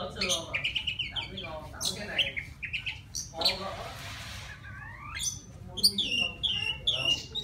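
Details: White-rumped shama from the wild singing to attract a female, pouring out fast varied phrases of crisp whistles, chips and slurred notes, with a brief hissy rustle midway and ringing high notes near the end.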